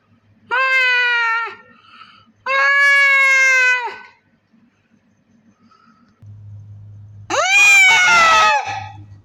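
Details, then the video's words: On a big poultry farm in Pakistan, hens give two long, drawn calls that are steady and then falling. A harsher, rougher call follows, over a low mechanical hum. "Sound of Heans"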